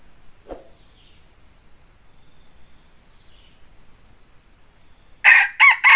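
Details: Red junglefowl in Sumatra, a wild bird met while a decoy fighting cock and snare were set for trapping: a loud, harsh, broken crow bursts in at the very end after near silence with a steady high insect drone.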